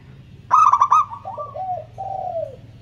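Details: Local zebra dove with a 'kristal' (crystal) voice, used as a lure to prompt reluctant doves to sing: a quick burst of clipped staccato notes, then a string of lower, drawn-out coos that fall slightly in pitch.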